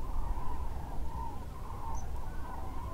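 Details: Migrating Common Cranes depart their overnight roost at Lac du Der-Chantecoq in northern France half an hour before sunrise to feed in the area. Dense, rolling trumpet calls from many birds layer together over low rumbling noise.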